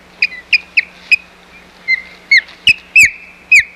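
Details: Osprey at the Hog Island nest, 4 May 2020, as nest-building ends in a fight over the nest: rapid series of sharp whistled chirps, several sliding down in pitch, quickening and growing louder toward the end, over a faint steady hum.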